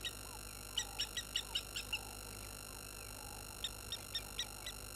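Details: Water thick-knees at Gowrie dam waterhole, Djuma Game Reserve, Sabi Sand, South Africa, upset by a baboon coming close, 11/03/21 at 16:50. Two bursts of sharp piping notes, about five quick notes each, over faint lower whistles and a steady electrical hum.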